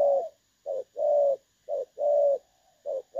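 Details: Spotted dove calling in the clear-voiced "đồng son" style, recorded for luring birds into traps, August 2024; soft low cooing alternating brief and sustained notes, each pair about a second apart, nothing else audible.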